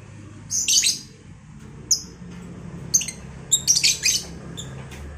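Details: A home-bred lovebird pair being introduced for breeding: shrill squawking chirps, one early burst then a cluster of short sharp calls near the end, with low room hum beneath.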